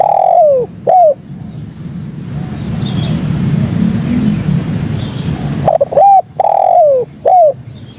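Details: Spotted dove calling to lure other doves: the tail of one coo phrase opens, a quiet gap of background rumble follows, then a full phrase of short, long descending, and short notes, with a continuous high whine throughout.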